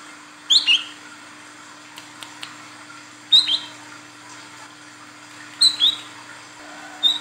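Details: Female Olive-backed Sunbird, kept as a lure bird, calling to attract the male. Short high sharp two-note chirps in brief bursts about every two and a half seconds, with a steady low hum behind.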